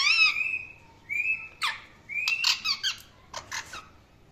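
Indian ringneck parrot giving shrill, drawn-out screeches followed by a quick run of harsh, raspy squawks, all high-pitched and loud in a quiet room.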